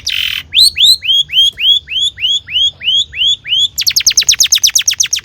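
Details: Long-tailed shrike in lively song used to rouse other shrikes: a scratchy note, then a string of about a dozen arched, whistled notes, three per second, then a fast, high trill of sharp notes.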